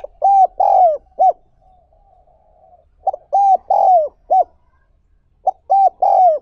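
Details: Spotted dove used to train wild-caught doves, cooing three phrases about every two and a half seconds, each of short bouncing hoots around a long, slightly falling coo, with faint background hum.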